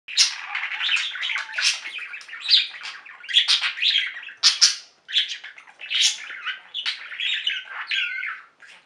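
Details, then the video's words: Pet budgerigar flock singing indoors: dense, overlapping chattering warble of rapid chirps, squeaks and buzzy notes, broken into bursts with short gaps, several birds calling at once. "Most Beautiful Budgie songs Ever: Budgies singing and chirping"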